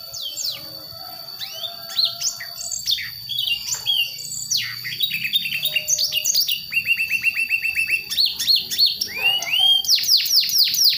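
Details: Young wild-born White-rumped shama from West Java practising its song, moving from soft to harsh to full notes; varied whistles and sweeps, then a fast run of repeated dry notes and a final burst of steep descending strokes.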